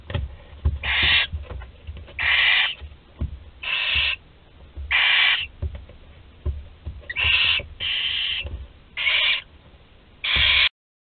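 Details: Barn owl chick, the final one still in its nest at Théding in France, late July 2020: a steady series of eight harsh hissing screeches, each under half a second, spaced about one to one and a half seconds apart, with faint thumps.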